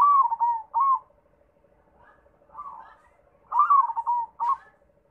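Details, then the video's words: Zebra dove cooing in short broken phrases: a few warbling, slightly falling coos, a pause with faint notes, then another burst of rolling coos, against quiet background with a faint steady tone. "MACAM - MACAM BUNYI PERKUTUT"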